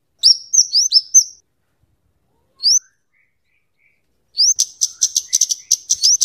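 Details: Kemade or cabe cabean, the scarlet-headed flowerpecker, in a song used for luring and tutoring birds: quick series of high rising slurred notes, a lone upslur after a pause, then a fast stuttering burst of sharp ticks.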